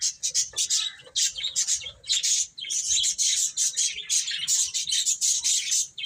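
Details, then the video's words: Many baby chickens chirp as they eat and play, a nearly unbroken wash of high, overlapping peeps with faint low rustles beneath. "Cute Chicks Eating and Playing | Baby Chicken Chirping Sounds"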